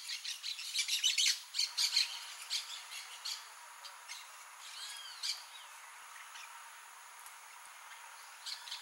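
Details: Harsh, scratchy squawks of blaze-winged parakeets, Pyrrhura devillei, in a quick flurry over the first three seconds, then only scattered faint rasping notes and a quiet background.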